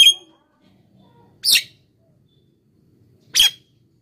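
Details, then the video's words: Javan myna lure sound used to attract wild birds: three separate loud, harsh, rasping squawks, roughly two seconds apart, with quiet pauses between them. "suara pikat JALAK KEBO GACOR...suara untuk pikat dan pancingan untuk jalak yg macet bunyi"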